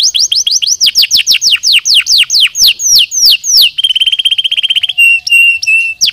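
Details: Canary song used to stimulate lazy birds to sing: loud rapid downward-sweeping whistles about three per second, then a fast level trill and steady repeated high notes with a faint low hum.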